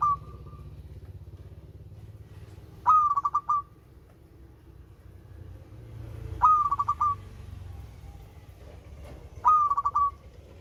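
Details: Zebra dove, local type, singing sweetly. Widely spaced phrases, about every three seconds, each an upward-sliding whistle into a rapid burst of short coo notes. A continuous low hum fills the background.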